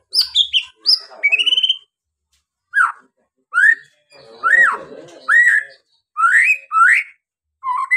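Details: White-rumped shama singing, a recording meant to stimulate other birds to sing: rich varied whistles, high falling notes then separate upslurred and arched whistles repeated about once a second, with faint lower chatter beneath.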